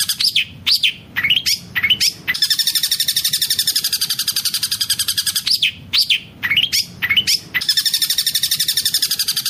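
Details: Long-tailed shrike song with mimicked kingfisher calls. Clusters of loud, swooping whistled notes alternate with long stretches of rapid, even, high-pitched chattering trills. The pattern repeats twice.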